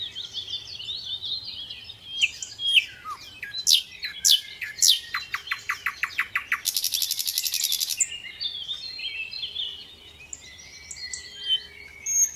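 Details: Little pied flycatcher in gacor song: high twittering, loud sharp slurs, a quick string of chips, then a buzzy rattle of over a second, followed by quieter high warbling.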